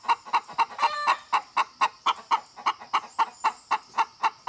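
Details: Hen clucking rapidly in short, even notes, with a brief rougher squawk near the first second before the steady clucks resume.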